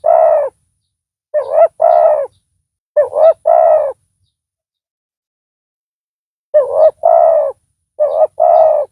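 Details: Loud decoy spotted dove luring wild doves; an opening coo, two phrases close together, a long pause, then two more phrases, each a brief wavering note followed by a steady hollow coo.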